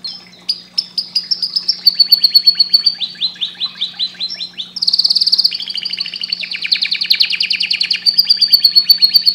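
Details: Canary in full song: a long chain of rapid high trills that shift into a dense buzzing roll and then rolling chattering phrases, over a constant low electrical hum.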